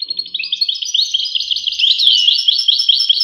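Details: European goldfinch song opening with a faint low hum, then bright tinkling twitters and repeated short downslurred notes in a quick rhythm.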